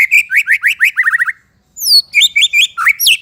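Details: Loud, varied White-rumped shama song for training young shamas and ones that stopped singing: fast repeated upslurred chirps, a rapid trill, a brief pause, then high whistled slides and bright chattering phrases.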